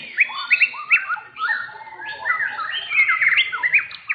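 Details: Contest-winning blorok white-rumped shama, first in its class in session 7 at an Indonesian gantangan arena, singing loud separated whistled phrases, some upslurred, some falling, joined by overlapping notes and a soft noisy background.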